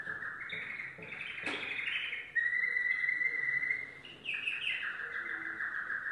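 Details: Domestic canary, yellow, in song: fast warbled trills shifting into a sustained clear rolling trill, then quick descending notes and a buzzy roll, one sharp click near the start.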